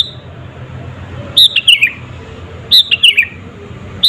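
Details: Two descending whistled phrases from a sooty-headed bulbul, each of about four liquid notes, sung as a lure to make rival birds agitated, with a steady low background hum.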